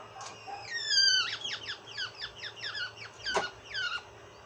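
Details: A domestic quail hen, just after laying an egg, gives a rapid series of high, squeaky, downslurred chirps, about three to four per second, with one sharp click midway. The owner says this post-laying call is unusual.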